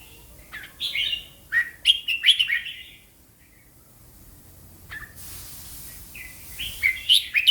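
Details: Caged red-whiskered bulbul, a competition songbird, singing in the slow, clear (cha chat) style: short bright warbled phrases in quick bursts, a pause of about two seconds, then more chirpy whistled notes over a quiet background.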